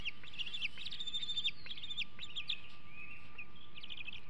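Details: Bald eaglet in its nest at Hanover in 2021, days before fledging, showing food aggression: rapid high chittering and squealing notes in quick irregular bursts, then thinner drawn whistles, steady low background noise and faint hum.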